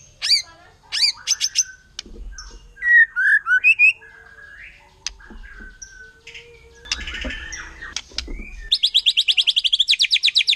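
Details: Forest white-rumped shama, wild, singing a varied provoking song: sharp chips, fluty slurred phrases and scattered clicks, ending in a long fast metallic rattle of evenly repeated notes.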